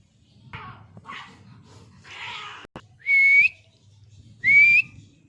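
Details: Pet parrot at home, described as angry: two loud, clear whistled notes that rise and then level off, about a second and a half apart. Soft human talk and a sharp tap are heard between them.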